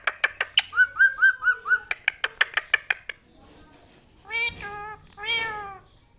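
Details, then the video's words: Pet talking parrot indoors making rapid sharp clicks about twice a second, with a short wavering whistle among them, then two drawn-out, nasal, voice-like calls. "The Amazing Talking Parrot Who Can Sing, Whistle and Speak!"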